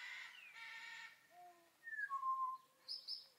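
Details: Two superb parrots foraging for grass seeds in a grassy area give harsh, buzzy chatter, then clear whistled notes, some falling and some held level, ending in short high squeaky bursts.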